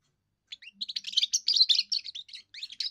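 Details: European goldfinch, a young bird with its first song, used for territory and courtship: begins with a few rising slurred notes, then a rapid jumble of liquid chirps and trills, ending in sweeping whistled notes.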